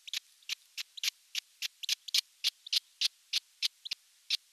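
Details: Young osprey alone on nest #1 in Western Finland's Satakunta region, late June 2022; loud, piercing chirps, some paired, repeated about three times a second with little background noise.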